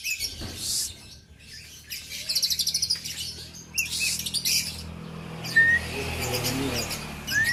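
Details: Oriental magpie-robin, a kept bird from Aceh, giving scattered high chirps and a quick burst of rapid, buzzy pulsed notes, then two clear rising whistles near the end. Low background hum throughout.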